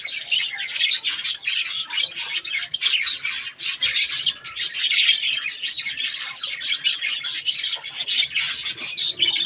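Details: Pet budgerigars eating strawberries keep up continuous loud, scratchy warbling chatter, with rapid squawks and chirps running together without pause.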